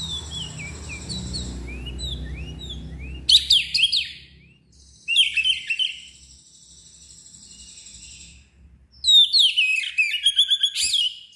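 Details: Agitated Oriental magpie-robin with its tail spread, delivering loud ngeplong song: a soft run of falling whistles, then three bursts of sharp, fast chattered and slurred notes separated by quiet gaps.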